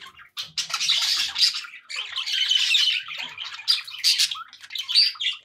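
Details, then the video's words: Pet budgerigars making happy chatter: a dense, continuous stream of squeaky, warbling and scratchy notes with short bright chirps mixed in, broken by brief pauses. "happy budgie sounds"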